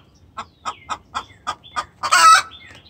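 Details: Hen in distress calling to the rooster: six spaced clucks build up to one loud, harsh squawk.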